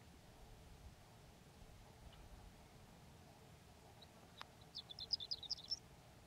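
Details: A horned lark (Eremophila alpestris) on Antelope Island on a warm, sunny spring day sings a brief burst of high, tinkling, twittering notes lasting about a second, after a quiet stretch of low background rumble and a single sharp click.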